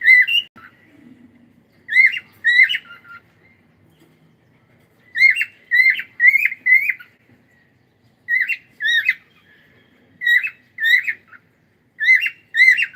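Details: Cockatiel repeating bright, harmonic, slurred chirps in clusters of two or three, separated by short silences, steady and loud throughout with a faint low murmur early on.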